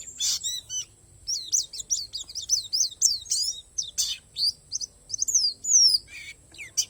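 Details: Borneo palas white-eye delivering its naturally filled song: a quick chatter of high, thin descending notes, broken by scratchy buzzy bursts and a few clear rising-falling whistles; a faint steady high tone lies beneath.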